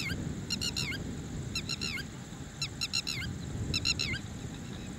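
A red-wattled lapwing gives shrill, strident bursts of four or five quick notes, repeated about once a second, over a low background rumble.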